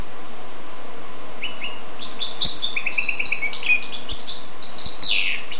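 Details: Goldfinch-canary hybrid bursts into song after a silent start, with stepped chirping notes, fast twitters and a final descending buzzy sweep.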